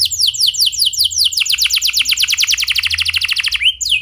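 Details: Canary song used as a lure to get other canaries singing, clear rolling style: rapid trains of downward-slurred notes, speeding into a fast rattling trill near the end, high and bright throughout.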